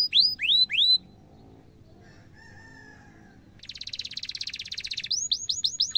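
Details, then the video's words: Singing canary, cuit cuit phrases meant to train young canaries: three swooping whistled notes, a near-silent gap with a faint tone, a tight buzzy roll, then quick repeated upswept chirps. "kenari gacor panjang cuit cuit emosi, pancingan kenari paud belajar bunyi"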